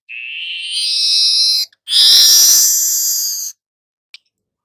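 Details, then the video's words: Song of a golden-headed weaver, kept as a tutor recording: a long rising buzzy note running into a loud, broad, harsh sizzle, then a faint click, no other sounds. "suara manyar kepala emas"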